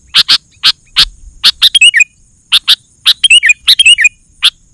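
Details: Sooty-headed bulbul song used for luring wild bulbuls: isolated rasping chips alternating with two rapid bursts of bright, slurred whistles that rise and fall, brief silences between phrases.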